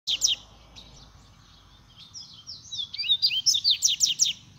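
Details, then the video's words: Kept double-collared seedeater singing. High, sharp notes open the song, then fainter twitters, then a loud burst of rapid buzzy slurred notes repeated in quick succession. Low background rumble throughout. "Coleira boa é essa | canta demais tchê"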